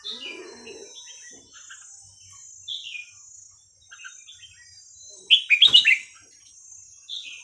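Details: Red-whiskered bulbul song in the Thai hua khrok khayao khuat style, used for teaching young birds: scattered soft whistled notes, then a loud, rapid warbled phrase with a sharp click near the end.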